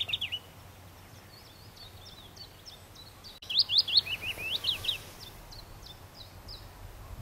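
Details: Willow warbler song: a soft, sweet, high phrase of quick slurred notes that descends gradually over about one and a half seconds. Fainter, similar high notes repeat in the background, over a steady low rumble.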